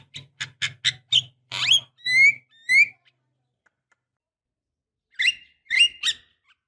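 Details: Javan myna female calling to the male to prompt singing: a few harsh rasping chatter notes, then two clear rising whistles, a silent gap, and a closing burst of three buzzy, squeaky notes, with a low hum underneath.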